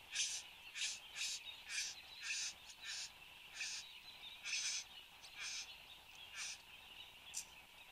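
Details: Satin bowerbird, Australia, morning of 10 January 2015 at 8:02 am, giving a long run of rasping, noisy bursts, about one per half second and unevenly timed, with a constant shrill drone behind.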